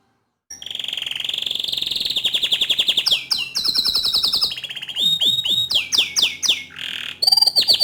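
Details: Rapid, continuous canary song in a bottle-green bird, used as a master song for teaching young canaries; fast repeated chips run into long rolling trills and sharp downswept whistles, growing denser toward the end.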